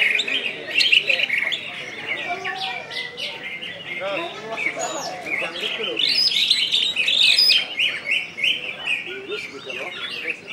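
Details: Greater green leafbird from West Kalimantan, a kept songbird, singing in the ngentrok, gacor, nembak style: a dense, continuous stream of rapid high chirps and whistled slurs, with brief louder bursts, over faint background voices.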